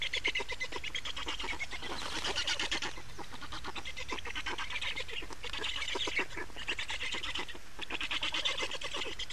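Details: At an Estonian black stork nest, 28 May 2019, 15:51, while adults swap places and feed: dense rapid pulsed rasping runs unbroken for nine seconds, rising into louder, harsher bursts every couple of seconds.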